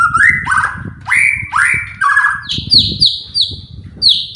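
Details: White-rumped shama song meant to provoke other birds into singing: repeated rising whistled sweeps followed by a series of high, clear descending notes, with a low rumbling hum throughout.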